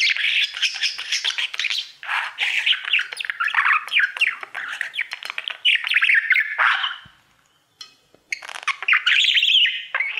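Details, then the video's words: Budgerigar kept as a pet, a male that sings to its mirror all day, giving a long fast stream of chattering clicks, squeaks and whistles, with one brief silence before the warble resumes. "Budgie sounds | Cookie and his Mirror singing"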